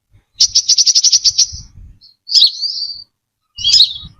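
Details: Brown-throated sunbird giving a rapid run of about ten high, evenly spaced ticking notes, then two buzzy, warbling slurred phrases, over soft low bumps and thuds; recorded as a lure.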